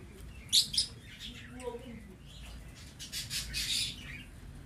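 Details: Lovebirds in an aviary cage, recorded in November 2022: a pair of quick shrill shrieks near the start, then a stretch of scratchy, overlapping high chatter toward the end.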